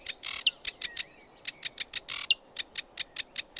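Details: Sedge warbler singing: dry rapid ticking notes in quick rhythmic bursts, with two harsh buzzy rattles and a few thin rising whistles.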